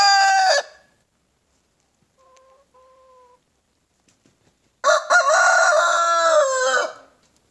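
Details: Spring morning crowing from a White Leghorn rooster showing off to hens: a short crow, then a long two-second crow with a rough, rich tone that falls at the end, and soft tonal notes in the pause between.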